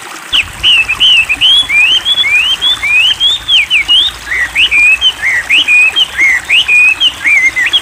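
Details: Wambi song used as a training recording for cage birds: a long run of quick, bright whistled notes, each rising or falling in a short sweep, strung continuously with brief gaps over a steady background hiss.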